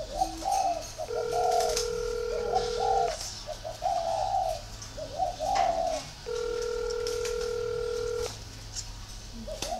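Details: Spotted dove from a northern Vietnam dove breeding garden in Ba Vì, Hanoi, giving soft low cooing phrases in short bursts. Two long steady electronic beeps overlap the calling.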